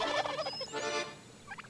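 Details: A male wild turkey (tom) in Texas in springtime, strutting to attract hens, gives a rapid, rattling gobble, a burst of throaty warbling notes lasting about a second; gobbles can ward off other toms and jakes.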